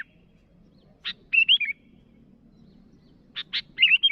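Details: Sooty-headed bulbul calling at rivals: a dry click, then a lilting whistled phrase of three or four notes, repeated once more after a pause over a soft background hum.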